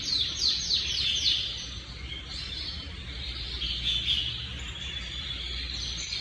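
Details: Timbrado canary on 25/8/25 opening with a few quick descending whistled notes, then running into a sustained, rolling high trill, with low background rumble beneath.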